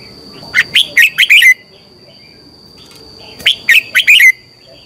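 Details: Red-whiskered bulbul giving morning song in the 'chè' style, used as a lure recording to train other bulbuls: two bursts of four or five quick, bright warbled notes, about three seconds apart, over a steady thin high tone.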